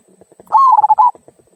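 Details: Local zebra dove giving a single kung-style phrase, a loud warbling, trilled coo lasting about half a second, with faint soft clicks before and after.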